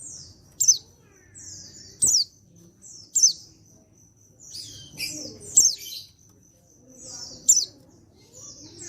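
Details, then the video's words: Calls from an untrained male white-eye from Pacitan, 14/10/22, meant to prompt other white-eyes to reply: high piercing chirps followed by thin downslurred trills, six bursts, with a steady high whistle-like tone between them. "Panggilan Burung Pleci Jantan Bahan Pacitan Ini Bisa Bikin Yang Lain Ikut Nyaut"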